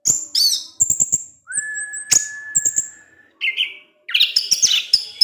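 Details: Orange-headed thrush kept in captivity singing ngecip ngecis teler: high whistled slurs and chips, a long level lower whistle held about two seconds, then a short buzzy phrase and a loud scratchy, jumbled warble.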